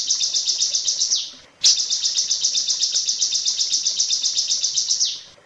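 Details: Long-tailed shrike song used as a masteran tutor recording for training other shrikes: a fast run of high, thin, buzzy chirps repeated about twice a second, with a brief pause and sharp click, then another long rapid series.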